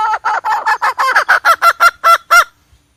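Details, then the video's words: Domestic hen calling, a sound offered as bait for trapping: a quick run of about thirteen clipped, nasal notes over two and a half seconds, steady in pitch and growing more spaced toward the end. "suab poj qaib seev zoo cuab"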